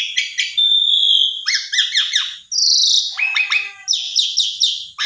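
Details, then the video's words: Asian pied starling singing to stir another bird, with repeated stuttering notes, a long level whistle, and rapid downslurred chirps in series. "Jalak Suren Macet !! Coba Pancing Dengan Jalak Suren Ini !!"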